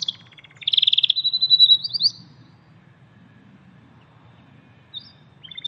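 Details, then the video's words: Wild canary in full song, a bird prized for its 'tembakan' (shooting) delivery: a loud, rapid rattling trill of about a dozen pulses, sliding into a brief buzzy phrase, then near silence with a few faint high notes. "KENARI GACOR DI ALAM BEBAS"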